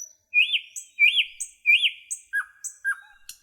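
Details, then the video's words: Three looping, buzzy notes delivered in steady rhythm, followed by two lower slurred notes, sung by a nightingale in the forest. "Rouxinol cantando - Canto do pássaro rouxinol na floresta"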